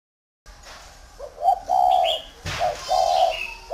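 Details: Tame spotted dove cooing: low, hoarse, drawn-out coos in two phrases, each a short note then a longer one. Faint higher chirps from other birds and a thump in between.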